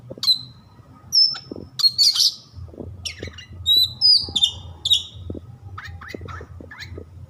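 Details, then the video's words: Oriental magpie-robin (kacer), a bird-keeping hobby songbird, delivering a varied song: sharp high whistles, short slurred notes rising and falling, and scratchy chirps in quick bursts separated by brief pauses, over a steady low hum. "suara kacer"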